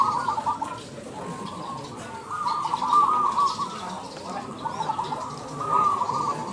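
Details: Zebra dove at a singing competition in Indonesia: rolling, purring coo phrases around one pitch, delivered in bursts with short pauses, over a murmur of background crowd noise and other doves.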